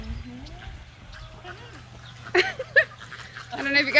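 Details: Captive cockatoo named Carmen at Wildlife Safari, Oregon, saying "hello" in harsh, raspy squawks in short bursts, ending in a longer grating screech, after a woman talks quietly over a low hum.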